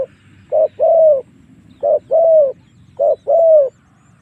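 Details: Spotted dove lure call for drawing wild doves into fighting. Three clean phrases, each a short coo then a long, smooth, slightly descending coo, over a soft low rumble.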